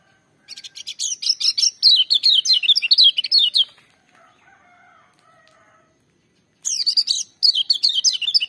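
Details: Lemon-bellied white-eye in loud, energetic full-voiced song: rapid bursts of high, sharp descending notes, strongly repeated, then a few seconds of faint softer twittering before the fast chattering resumes.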